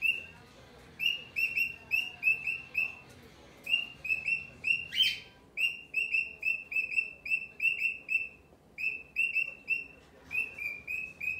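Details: Cockatiel giving long runs of rapid, clear chirps, each short and downslurred with a ringing overtone, interrupted once by a harsh raspy squawk, with faint background hum.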